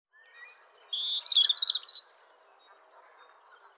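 A European robin sings one high, thin phrase: a shimmering very high trill that drops and breaks into quick fluttering notes, then quiet with a faint high note.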